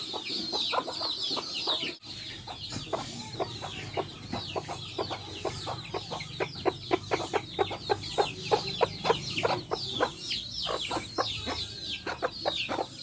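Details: Backyard chickens, hens with chicks, clucking loudly: rapid runs of short sharp clucks, about one a second and bunching faster, over continuous high chick peeping; a brief dropout near two seconds.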